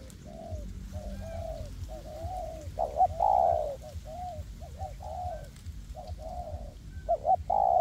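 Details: Spotted doves used as decoys in a forest, a hanging and a ground decoy calling together to lure wild birds: a dense series of hollow coos, short and long notes overlapping, louder drawn-out coos recurring every few seconds.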